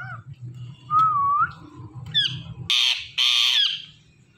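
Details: Indian ringneck parakeet, called a talking parrot, gives a smooth wavy whistle over a low murmur that sounds like a voice, then two loud harsh squawks.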